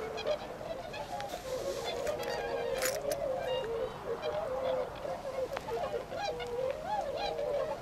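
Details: Tundra swans overwintering at a flood-control pond in Azumino, Nagano, Japan, in late February 2013, flying to nearby paddies to feed. Continuous overlapping honks from many birds, with scattered sharp clicks and knocks.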